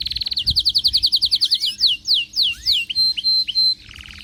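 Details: Excited canary singing: a fast trill of short notes, then a series of loud descending whistled sweeps repeated about three times a second, ending in level high pips and a brief buzzy rattle.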